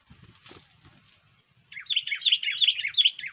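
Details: Sooty-headed bulbul in full song, recorded for use as a trapping lure: after soft low knocks, a loud run of rapid, rolling, bubbly whistled phrases repeated several times a second.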